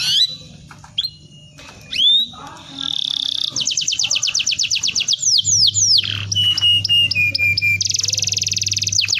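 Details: Canary song used to lure young canaries into singing: scattered sweeping whistles, then long rapid trills of repeated notes, buzzy rattles and a sustained high rolling phrase, over a low steady hum.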